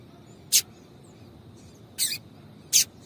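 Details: A female double-collared seedeater calls to get a male singing. There are three separated high chirps: a sharp single note, a doubled note, and then another sharp note, over faint background hiss.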